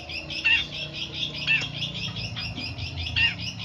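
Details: Long-tailed shrike in a bird-training recording, giving a scratchy warbling chatter with a clear whistled note about once a second, over low rumbling background noise.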